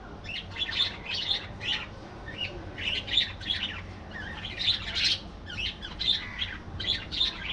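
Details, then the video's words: Budgerigars in a colony singing: a continuous, lively warble of rapid chirps, clicks and squeaky notes in quick bursts, loud and dense throughout. "Budgie Life: Singing, Gossiping, and Hilarious Adventures!"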